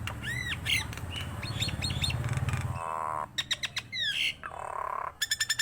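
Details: Nias hill myna giving looping whistled notes over a low steady hum, then a burst of nasal rattling calls, sharp downslurred whistles and a rapid string of clipped chirps at the end.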